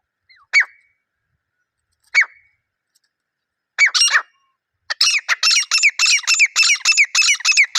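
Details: A wild grey francolin pair calling in a natural setting: a few sharp, isolated notes in the first seconds, then a loud, rapid series of harsh, ringing, repeated phrases runs without a break to the end.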